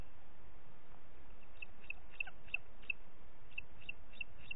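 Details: Recorded 30 June 2021 at 11:01 in Parc Natural dels Ports, a booted eagle's softer, slightly irregular series of short high notes emerges after a second and a half of quiet, with low background rumble.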